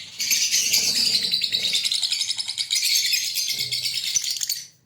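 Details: Green Fischer's lovebird pair in Pakistan, breeding, giving a dense, high-pitched chattering of rapid chirps and buzzy twitters for over four seconds before trailing off at the end.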